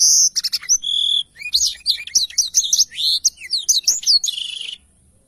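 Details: Black-throated canary with a lively, rapid song of sharp high chirps and warbled slurs, ending in a sustained tone before falling silent.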